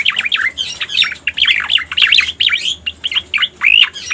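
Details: Trapping lure sound of cica koreng, the striated grassbird: a string of bright, looping, swooping whistles mixed with harsher chirps, delivered in quick clusters with short breaks between phrases.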